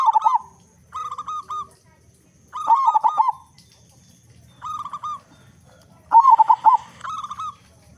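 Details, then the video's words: Frequently singing local zebra dove with a big voice, played as a lure so other doves start singing: short runs of quick, throaty cooing pulses, repeated every one to two seconds, some phrases longer and rougher, over quiet low hum. "Perkutut Lokal Gacor Suara Besar Pancingan Burung Perkutut Agar Cepat Bunyi"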